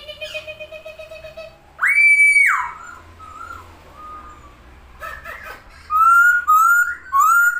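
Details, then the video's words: Masked laughingthrush singing with wings open, giving a loud drawn-out whistle, short quiet notes, then three bright rising whistled phrases, indoors. "burung poksay hongkong gacor buka sayap"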